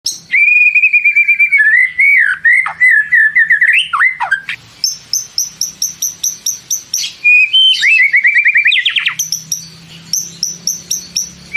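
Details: White-rumped shama in long, continuous song: rapid repeated whistled notes in a fast trill, dipping and sliding phrases, then strings of high clicking notes repeated several times a second, with a soft low hum.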